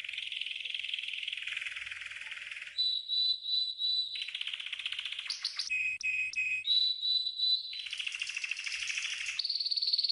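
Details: Training song of a green canary, alternating fast buzzy trills with clear sustained whistles and short choppy stuttered notes, then returning to rolling rattling trills.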